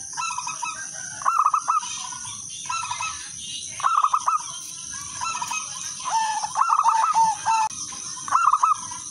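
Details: Wild local zebra dove, a melodious lure song: bursts of quick, bubbly cooing notes, some drawn out, at uneven intervals against a steady shrill background hiss and rumble.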